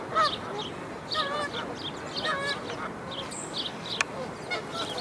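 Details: Canada goose family at a dead-tree nest as five newborn goslings leap down to follow the mother goose. A few short, wavering nasal honks come one after another, over high bird chirps and a sharp click.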